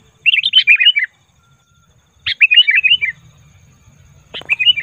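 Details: Wild-type Sooty-headed bulbul lure call, used to draw wild bulbuls to gather: three bursts of bubbly, chattering chirps, each about a second long, separated by short pauses.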